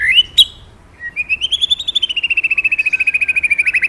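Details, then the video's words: Magpie-robin in lively, persistent song: two short rising whistles, then a long rapid trill of clear pulsed notes, about eight per second, starting high and sliding slowly lower. Background is quiet. "Suara birung murai mantap&ampuh"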